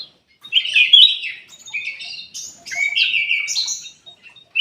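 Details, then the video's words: Bulbul song used as a lure to make reluctant caged birds sing: a loud, varied chattering warble of quick rising and falling phrases, shifting between lower and higher notes, with no other clear sounds. "PANCINGAN KUTILANG EMAS MALAS BUNYI"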